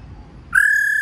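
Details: A single flat, buzzy note from a female laughingthrush, the 'ro' call used to rouse males, starting abruptly after brief quiet and holding one level pitch.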